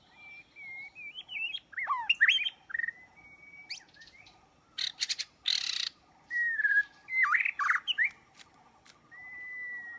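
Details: White-rumped shama song played as a trapping lure: rich, varied whistled phrases with swooping rising and falling slurs and sharp chips, a few harsh broadband bursts midway, over a steady low pulsing drone throughout.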